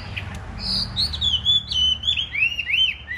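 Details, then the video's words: Large Chinese hwamei kept in a cage, in fighting spread display: a fluent whistled phrase of connected rising and falling slurs, bright and loud, ending in a few arched notes, in a quiet setting. "Hm 2750 - Bộ to đấu xòe hót rất tốt, giộng rất hay"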